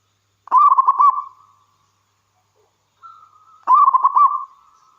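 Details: Local wild zebra dove, a lively singer, kept as a lure to get other doves singing: two cooing phrases about three seconds apart, each a burst of rapid rolling, stuttered coos trailing into a soft held note, the second led in by a faint steady tone.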